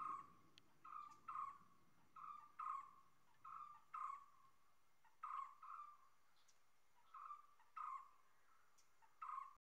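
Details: A common hawk-cuckoo calls persistently. Loud whistled notes come in pairs and repeat at a steady pace, around eight pairs over ten seconds, with faint clicks and soft background hiss between them.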